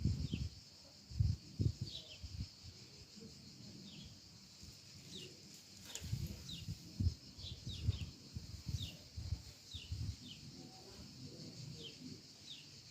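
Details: A small sparrow recorded from about 50 metres away gives faint, high, short chirps that drop in pitch, about one each second, over low thumps and handling noise.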